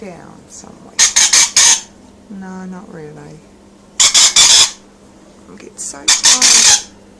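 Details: Captive rainbow lorikeet in a home room, pleased to be filmed, letting out three bursts of shrill rasping screeches that alternate with a person talking softly in between.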